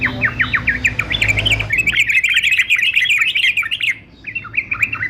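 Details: Fighter male yellow-vented bulbul, recorded for song training, pours out rapid rolling warbled notes, starting with spaced downslurred notes then a dense chattering run, a brief pause, and a few more slurred notes.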